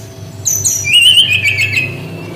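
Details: Single phrase from a brown-chested jungle flycatcher in 'tembakan' singing style: a high clear note, then a rippling, warbled trill sliding lower, over low background hum.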